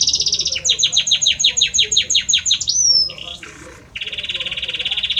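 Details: Belgian canary male singing a great deal to his female: a fast run of repeated descending notes about three per second, a rising whistle, then a long steady buzzy trill.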